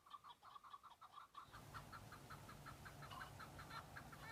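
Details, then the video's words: Breeding-season male Chukar partridges on Bamo mountain in Kurdistan, fighting and showing off to females: a run of rhythmic clucks that continues over a rising low rumble in the background. "Chukar partridge fighting -Chukar call"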